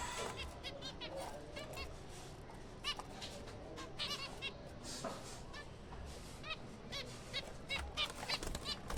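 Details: Captive breeding colony of zebra finches in April. Many short, nasal, stacked calls are repeated irregularly through the whole stretch, with several birds calling at once over a steady background hiss.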